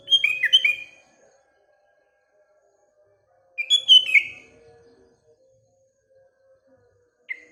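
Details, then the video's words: Morning song of a sooty-headed bulbul: two cheerful phrases of quick whistled notes that tumble downward, about three and a half seconds apart, then one short clipped note at the end. A faint, thin tone drifts beneath. "Paduan Kutilang Dan Burung Sekelilingya (Bikin Gacor Bersaing)"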